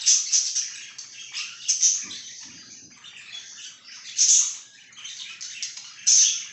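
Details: Budgerigar chirping: loud squeaky chirps and grating warbles in clusters, a quieter stretch in the middle with a faint low knock, then more bright squeaks.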